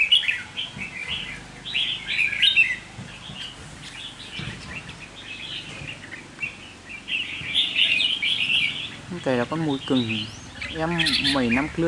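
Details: Captive red-whiskered bulbul decoy giving chattering warbled phrases early on and again near eight seconds, while a man talks over the final few seconds.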